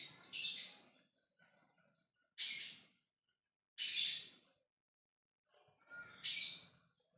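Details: Lovebird ngekek calling to other birds: four harsh, hissing screeches at irregular gaps of about one and a half to two seconds, near silence in between.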